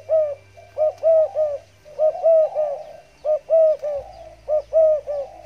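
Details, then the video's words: Freshly bathed caged zebra dove of the stammering style, cooing in quick bouncy clusters of three or four rounded notes, repeated steadily through the recording with little background sound. "burung tekukur gagap penuh ||habis mandi lansung nguku nguku"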